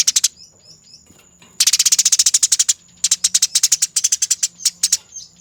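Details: Eurasian tree sparrow in a fighting mood, recorded as a master track for training songbirds, rolling, fast, dense and clear: bursts of rapid, sharp, buzzy chirps repeated many times per second, separated by short pauses, over a faint steady high tone.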